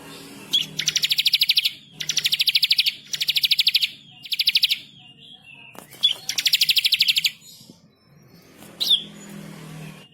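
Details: Bar-winged prinia, a persistent singer, delivering four steady rattling trills of rapid high notes at roughly one-second intervals, then a lone sharp chip near the end.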